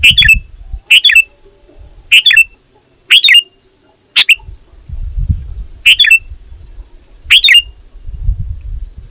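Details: Sooty-headed bulbul calling to rivals, used to lure wild birds: a series of seven short, harsh chattering bursts of clustered sharp notes, roughly one each second, with patches of low rumbling noise in the background.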